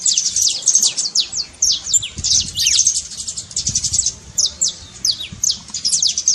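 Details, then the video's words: High, rapid saffron finch trill of sliding, sweeping notes grouped in bursts, used to get an unmotivated canary singing; soft low background noise underneath. "trincado pra foguea seu canário frio"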